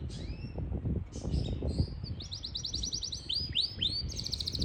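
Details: A Yorkshire canary (Serinus canaria) sings high, sweeping whistles, then fast rolling trills of repeated notes, over a low background rumble.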